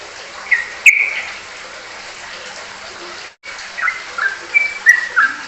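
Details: Sooty-headed bulbul (trucukan) singing in ropelan style: a few short whistled notes near the start, then a brief break, then a run of quick falling and level whistles.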